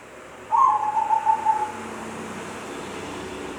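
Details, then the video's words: Zebra dove producing a strange sound: a short whistled phrase of rapid soft pulses, sliding slightly downward and ending abruptly, followed by about two seconds of steady background hiss. "Perkutut bersuara aneh"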